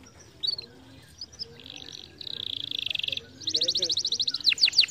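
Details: Canary song used to stimulate lazy canaries to sing: high trills and chirps, ending in a fast, even run of repeated notes about three per second and then sweeping downslurred whistles, with faint voices earlier.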